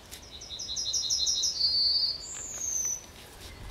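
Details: At the edge of Kabaty Forest a Yellowhammer delivers its full song: about ten evenly repeated chipping notes, then a sustained note and a higher, drawn-out note that slides downward.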